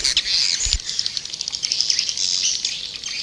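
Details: White-nest swiftlet lure call used to attract swiftlets: dense, high twittering chirps with a few sharp clicks, running continuously without pause.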